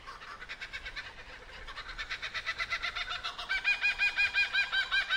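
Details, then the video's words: A kookaburra's rolling, chuckling call: rapid harsh notes about three a second, building louder and more ringing toward a raucous laughing climax. "What Does a Kookaburra Sound Like?"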